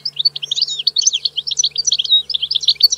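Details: European goldfinch pouring out a continuous, dense stream of bright twittering and trilled notes with no pauses, over a faint low hum.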